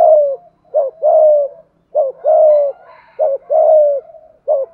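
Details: Spotted dove of Malaysian stock cooing 'thúc gù' steadily, about one phrase every 1.2 seconds. Each phrase is a quick rising doublet and then a drawn-out descending coo. A faint low hum and a soft higher sound run underneath.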